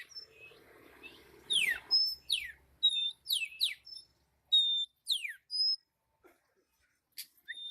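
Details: Songbird singing: a series of sharp high chirps and downward-sweeping whistled notes, some clear steady tones, delivered in quick bursts and then fading to sparse single notes, with little background noise.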